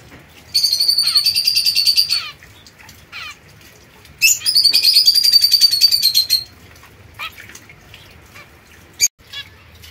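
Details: Young pair of caged zebra finches, a white female and a mosaic-coloured male, kept apart from other birds; two long bursts of rapid, nasal, buzzy chattering calls, then quiet with scattered clicks and one short call near the end.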